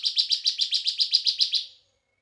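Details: Bar-winged prinia, a young 'semi' bird in steady 'bren' song: a quick run of about a dozen sharp, buzzy, high notes, evenly spaced, fading out after under two seconds.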